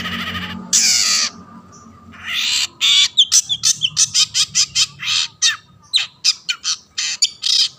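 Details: Long-tailed shrike in lively song, used to coax other shrikes to sing: opens with a long harsh rasping screech and a scratchy burst, then a rapid, uneven series of short sharp chattering notes, with a low background hum.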